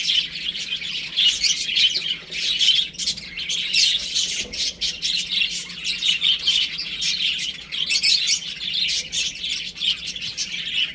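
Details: A group of chicks at home, playing and peeping nonstop: bright, high, overlapping cheeps in rapid irregular bursts, briefly dipping in loudness now and then.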